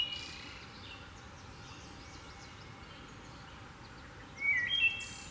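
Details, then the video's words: Wood thrush in Michigan on May 21 gives one brief, clear fluty phrase near the end with a thin high trill, while faint high chirps and steady low rushing noise run throughout. "Wood Thrush"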